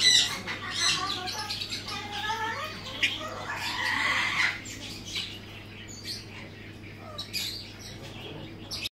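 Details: A female and a male Blue-and-yellow macaw (Ara ararauna) give harsh, raspy squawks, densest over the first five seconds, then a few scattered calls; a steady low hum runs underneath.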